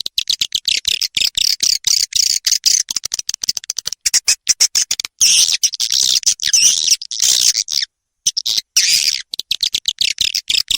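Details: Lure call for attracting swiftlets, the Ratu Birahi style: continuous high, hissing chatter of fast clicking pulses, tightly packed and uneven, with occasional short pauses and no other sounds.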